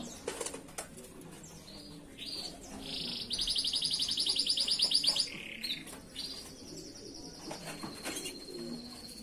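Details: Canary master song used for training other canaries: a rapid, even, high trill rolls for about two seconds mid-clip, framed by scattered sharp chirps and whistled notes over quiet indoor background.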